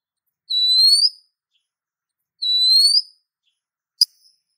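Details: Oriental magpie-robin female calling a male: two long, pure, slightly rising whistles about two seconds apart, then a faint click; otherwise silent.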